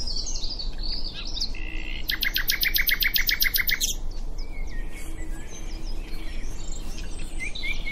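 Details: Common nightingale singing at Diddington: a loud, rapid rattle of repeated notes sustained for nearly two seconds, then scattered whistles and other birds in the background.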